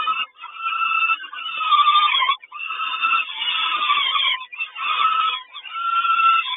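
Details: Peregrine falcon at a nest in Kawęczyn on 3 June 2022 as the mother brings breakfast: harsh, raspy calls in long continuous bursts broken by brief pauses near seconds 2.4 and 4.4, with a steady nasal tone running through.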